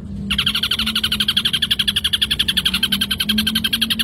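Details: Ashy drongo pouring out a continuous harsh, buzzy trill with layered tones, pulses repeating roughly four times a second without a break. A faint low hum lies underneath.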